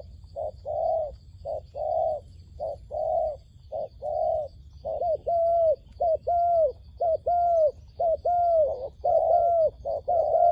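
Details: Doves lured toward a trap: a series of short even coos gives way to longer falling coos paired with brief notes, repeating about once per second, with a faint high hum throughout.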